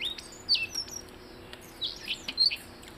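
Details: Short bout of blue-headed rock thrush song: a few clear high whistles, some sliding downward, in two small groups with a brief pause between them.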